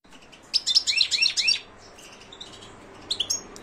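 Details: European goldfinch song, a bird kept for song contests: a fast burst of twittering, liquid trills and sharp high notes for about one second, then a pause and a short final twitter.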